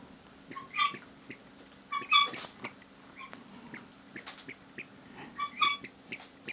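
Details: Tame helmeted guineafowl, a young female cuddled on her owner's lap while another guineafowl nags in the background; short harmonic chirping calls in brief bursts at about one, two and five and a half seconds, with soft handling rustles between.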